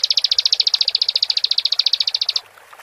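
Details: Bar-winged prinia (ciblek) singing vigorously, a song meant to stir another prinia's emotion into calling: a fast, high, even trill of about thirty sharp repeated notes lasting over two seconds, then ending abruptly against faint background hiss.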